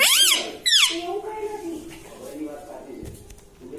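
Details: Pet talking parrot indoors: two loud, harsh, harmonic voiced sounds in the first second, each bending up then down, followed by quieter low murmuring voices in a small room.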